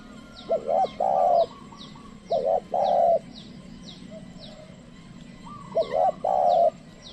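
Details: Decoy spotted dove trained to call in wild birds, which stay away. Three phrases, each a quick double coo leading into a longer steady coo, separated by pauses. A steady train of high descending chirps runs throughout.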